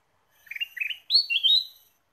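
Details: Ruby-throated bulbul song used as a bird-trapping lure: two short warbled chirp bursts, then a louder, higher, rising, slurred whistled phrase with a brief follow-on trill, all clean and bright with no other sounds.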